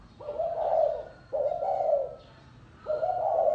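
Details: Spotted dove cooing in the gáy gù style: three low, mellow coo phrases, each about a second long, steady in pitch, separated by brief pauses, with a faint low hum underneath.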